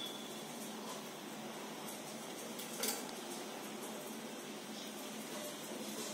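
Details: Steady indoor hiss and hum with one brief clatter near the middle, with no calls audible.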